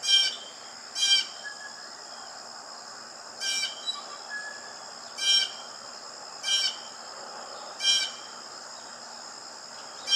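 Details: Blue jay giving a series of loud, harsh, noisy calls, about seven short rasping bursts over ten seconds, with softer calls between and a constant high-pitched drone in the background.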